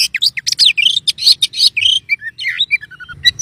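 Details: White-rumped shama: rapid loud scratchy phrases mixed with sweet whistles, then softer whistled notes falling in a short descending series.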